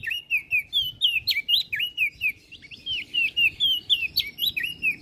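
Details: A master song for training songbirds from an olive-backed tailorbird, an even, rhythmic stream of looping clear whistles, around two notes each second.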